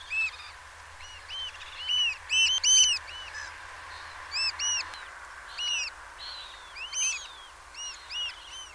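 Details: Eurasian oystercatchers at Peenemünde, several birds calling together: loud, shrill arched piping notes, repeated in quick overlapping bursts, some doubled, with a louder cluster in the middle and a faint steady hiss behind.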